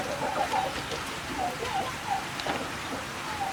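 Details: Turkeys (Meleagris gallopavo) give soft, short clucking notes a few times a second, mid-pitched and fairly quiet, over a steady hiss like rain.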